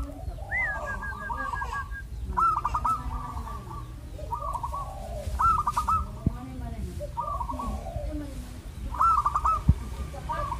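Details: Anggunan-style zebra dove singing: a steady series of phrases, each a sharp rising whistle then a fast stammering trill of level notes. They recur roughly every one to two seconds, with a faint lower murmur beneath.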